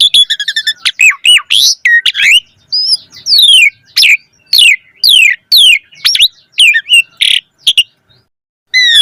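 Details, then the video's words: Lure song of an Asian pied starling: rapid rattling trill at the start, then loud swooping whistles and harsh chattering notes packed closely, ending after a short pause with one more phrase. "Suara Jalak Suren Gacor Full Isian Auto Respon buat Pancingan Burung Jalak Agar Gacor Isian Mewah"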